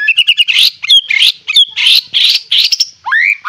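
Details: White-rumped shama, described as fierce with a rich fighter-style song fill, singing a dense run of rapid chirps, buzzy trills and rising whistled notes, mostly high-pitched, with barely a pause.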